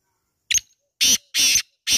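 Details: Harsh, buzzy notes from a black francolin: a brief sharp note followed by two long grating notes and the start of another, with nothing else audible.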